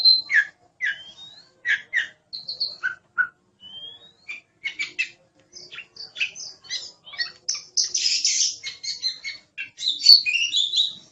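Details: Oriental magpie-robin giving spaced, varied notes: short whistles and chips at first, then quicker chattering phrases and a harsh, buzzy burst near the end.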